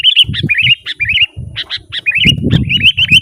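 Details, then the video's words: Sooty-headed bulbul in lively, continuous song, used to lure wild birds in the forest and to tutor caged bulbuls: quick runs of short wavering whistled notes, repeated in clusters, over low rumbling background noise. "Suara burung kutilang gacor Garuda full gacor dan ngeroll"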